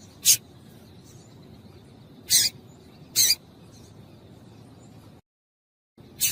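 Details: Calling female double-collared seedeater, used to stir a male to sing, giving short bright high-pitched chips at irregular intervals, a brief pause in the recording, then another chip.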